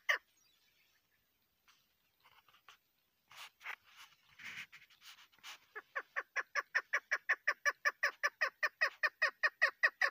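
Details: A female chukar partridge, recorded as a hunting call, starts with scattered harsh notes, then settles into a fast, steady run of raspy 'chuk' notes, about two or three each second.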